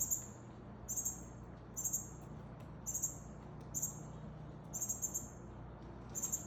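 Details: Northern cardinal, a male feeding a fledgling: thin, very high chip notes in quick pairs and triplets, clusters repeating roughly once a second, over a low steady hum.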